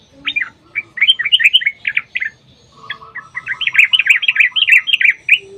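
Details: Lively sooty-headed bulbul song offered as a lure for other bulbuls: quick bubbling, warbled phrases, with a second, lower and steadier series of rapid notes joining in partway through.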